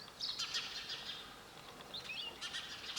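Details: Sparrow giving dense, overlapping high chirps that run almost continuously over three seconds, briefly easing in the middle before picking up again.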